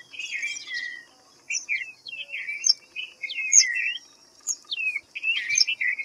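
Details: White-browed fantail delivering brief whistled phrases about every second, notes dipping and climbing in a jaunty pattern, with a short silent gap near the start; a constant high buzzing drone sits in the background with a few sharp higher chips.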